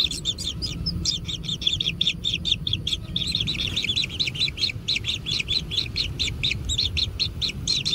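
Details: Kingfisher chicks in a natural nest being fed, giving rapid, high, scratchy chirps repeated several times a second in a continuous, insistent chorus, with a steady low rumble underneath.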